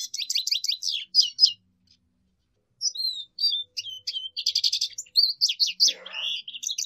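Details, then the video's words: Lesser goldfinch singing a lively run of quick descending chips, a short gap, then a long varied stream of twitters, whistles and buzzy trills. "Jilguero Aliblanco Canto! Llamado! Sonido! - Lesser Goldfinch Song"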